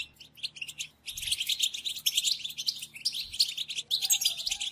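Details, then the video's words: Lure recording of European goldfinch bitbita calls for trapping. After a brief quiet start, a rapid, dense stream of tinkling twitters and buzzy trills carries on almost without a break, with a couple of dull low thumps. "بتبتة لصيد حسون صوت بيجنن"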